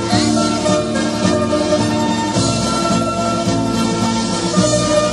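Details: Steady instrumental music with rhythmic percussion and sustained tones; no animal voice can be picked out.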